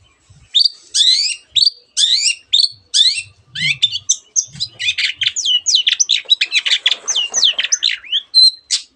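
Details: Long-tailed shrike in full song, delivering a dense mimicked medley with canary phrases and other birds' calls; rapid, tightly packed high whistles and chirps running on without a break, growing faster and busier toward the end.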